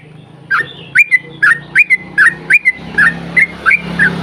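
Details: Yellow-vented bulbul singing in the long 'ropel panjang' style to coax others of its kind into song: a steady run of short bubbly whistled phrases, about three per second, over a low background hum.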